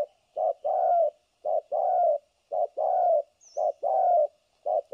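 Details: Decoy spotted dove kept for trapping, delivering rapid back-to-back coos in the thổ cấn sấm nước style: a clipped note followed by a drawn-out mellow coo, pairs about every second. A faint high chirp occurs once.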